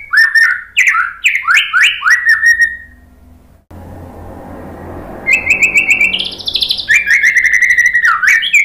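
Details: White-rumped shama song used as a lure to make a silent captive bird respond: fast, loud run of bright whistles and chirps, then a brief break with hiss, then high trilled notes and sweet, slurred whistled phrases.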